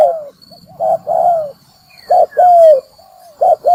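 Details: Spotted dove call used as a lure for trapping birds by sound: low, mellow coo phrases, each a short note followed by a longer, slightly falling drawn-out coo, repeated about once a second with brief pauses.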